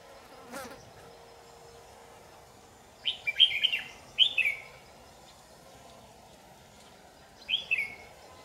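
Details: Trapping on 8 July 2019 catches a white-cheeked, yellow-gaped red-whiskered bulbul. After a sharp click it gives two quick bubbling warbled phrases close together, then a pause of about three seconds before a third phrase.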